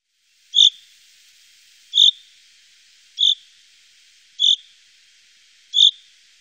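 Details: Common chaffinch in the Wittlicher Tal in 2018 giving a single short, sharp call note, repeated five times at steady intervals of about 1.3 seconds, in near silence.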